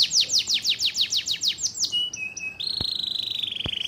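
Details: Kenari canary song: a string of loud falling whistled sweeps, then short pure tones and a steady high buzzy trill, with a couple of sharp clicks in the background.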